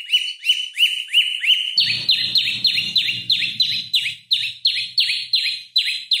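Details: Prinia (prenjak lumut) in full song, used as a lure to train oriental magpie-robins: high, sharp chirps repeated about three times a second, steady at first, then switching to higher, harsher down-slurred notes.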